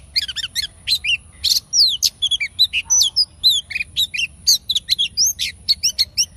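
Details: Sounds of a female oriental magpie-robin used to stimulate male pet birds, a lively run of short bright whistled notes, slurs and chips, closely spaced and varied, over a thin constant high-pitched tone.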